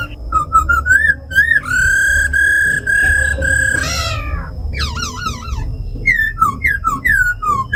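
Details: Caged tame laughingthrush giving forest-style song beside a female's ro khẹt calls, meant to fire up wild-caught birds. Short rising notes, a long steady whistle, a harsh squeal, then wavering trills and falling slurs.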